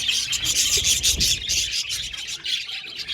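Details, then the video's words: An aviary colony of budgerigars chatters rapidly, with fast bright chirps tumbling over one another several times a second, plus soft low rustling and thumps beneath the birds. "Beautiful Budgies chirping sound"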